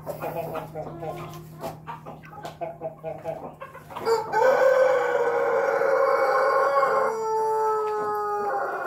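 A Pelung rooster gives about four seconds of quick, stuttering clucks, then a long, sustained, harmonic crow that holds steady and drops slightly before ending.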